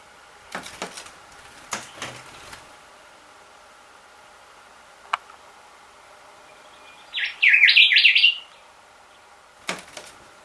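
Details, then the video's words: Resident Rufous whistler at a bedroom window at 6 am, where it taps and sings every morning. Sharp taps on glass, then one quick burst of rapid, bright, warbling notes about a second long, then another tap, over quiet background hiss. "Rufous whistler .... Alarm Clock - Every morning at 6.am our resident Bird the..."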